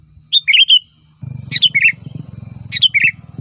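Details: Loud, varied song of a sooty-headed bulbul used to lure other bulbuls: three quick bubbly whistled phrases spaced over a second apart, with a steady low rumbling hum underneath from the middle on.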